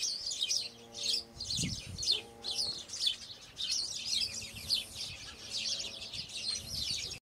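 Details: Spanish sparrows on Lanzarote, Spain, in December chatter in a dense overlapping chorus of bright chirps rising and falling in bursts about once a second, over a faint low hum.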